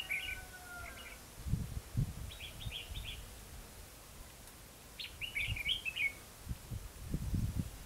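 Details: Bird trapping at Hòa Mạc, Hà Nam, Vietnam: a red-whiskered bulbul sings clipped warbled phrases in bursts, with one drawn-out falling whistle from another bird early on and low thuds throughout.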